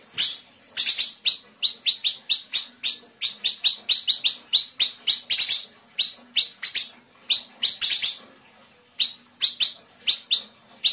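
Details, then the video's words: Small Sumatran siri-siri kept as a cage bird, singing dense 'tembakan rapat' bursts for tutoring other songbirds: long runs of sharp, high, rapidly repeated chirps broken by short pauses, with the tempo varying between phrases. "Siri-siri kecil gacor tembakan rapat"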